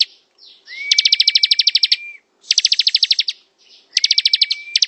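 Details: Bar-winged prinia singing in ngebren style: rapid trains of about a dozen sharp, high, evenly spaced ticking notes, each train opened by a long smooth whistle held steady, repeated three times with brief silences.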